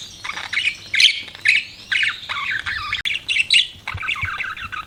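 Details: Budgerigars chirping in repeated bursts of raspy squawks and warbled chatter, roughly two bursts a second with brief gaps between them.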